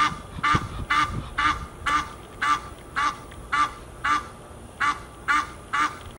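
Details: Geese at Fort Lauderdale, Florida, USA, honking repeatedly in nasal, ringing notes about every half second, with a few low knocks at the start.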